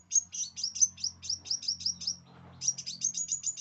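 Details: Scarlet minivet song used as tutor material for birds: rapid runs of thin, high, downslurred chirps, about four a second, broken by a short pause near the end, with a faint low hum beneath.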